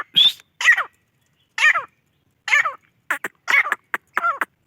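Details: Grey francolin (gora teetar) masti call: a few spaced, harsh, raspy notes about one per second, then a faster cluster of short, rough notes.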